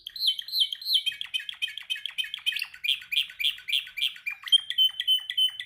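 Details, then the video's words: Caged canary practising its training song, meant to set other canaries singing: fast, regular trills of high, bright notes repeated several times a second, moving through different phrases and ending on a steadier, clear tone. "Your canary sings immediately when he listens to this canary singing"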